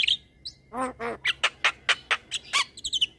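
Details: Energetic Javan myna song of the long rolling kind used for training other mynas: two nasal ringing notes followed by a rapid string of short raspy chips and high ticks.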